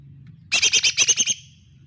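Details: A lesser green leafbird recording used as a lure to prompt a silent bird. One quick rattling burst of about eight harsh, buzzy high notes in under a second, with faint low hum behind.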